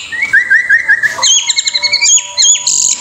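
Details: A White-rumped shama from Indonesia sings a rich, varied run of clear whistles and quick trills, first a rising repeated phrase, then high rapid notes and chatter.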